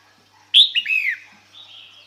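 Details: Female red-whiskered bulbul calling to attract males; a short, bright phrase of slurred whistled notes, one sharp high note followed by two falling ones, then a faint trailing tone.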